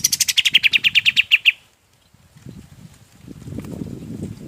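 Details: Golden-bellied gerygone singing for use in training other birds: a rapid series of around fourteen crisp chirps that slightly descend and slow, followed by a gap and low rumbling background noise.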